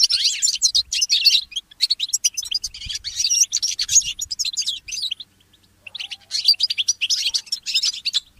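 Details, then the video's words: Early-morning singing of a goldfinch hybrid mule, used to train songbirds: a long twittering phrase of quick chirps and trills, a brief silence, then a second rapid phrase. "The inspiring Motif of the Mule Goldfinch"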